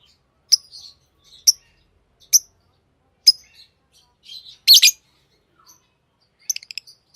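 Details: Pet lovebirds giving thin, very high, clipped chirps about once a second, one loud harsh double call midway, and a quick ticking series near the end.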